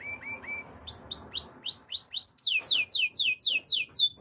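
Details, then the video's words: A Belgian canary sings a rapid string of high, clear notes: a few short, flat chirps, then repeated down-slurred whistles that speed up to several per second. "Belgian Canary Song"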